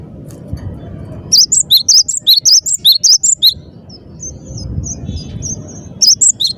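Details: Cinereous tit singing energetically: bright, high whistled two-note phrases repeated rapidly in a run of about two seconds, then soft scattered notes, then a fresh burst at the end, over a low background rumble.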